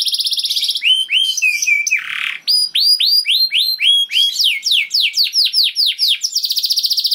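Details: Kenari canary pouring out a long 'gacor' lure song: a buzzy rattling trill, then a run of hooked, down-curving whistles, a brief harsh burst, more swooping phrases, and a closing rapid trill.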